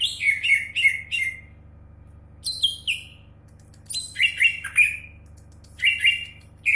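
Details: Greater green leafbird, a champion singer, giving loud ringing chirps in quick clusters of three or four, separated by short silences, each note clear and slightly descending.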